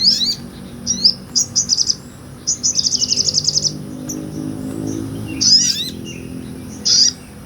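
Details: Sunbird, a small nectar-feeding bird, singing lively ngobra-style song used as a tutor recording for other songbirds: sharp high chips, then a quick run of about ten bright ticking notes, later thin squeaky bursts, over faint low background rumble.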